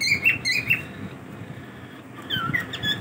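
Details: Pet cockatiels in a daily routine: a quick run of high, thin chirps at the start, then a pause and a few falling chirps, over faint steady background hum.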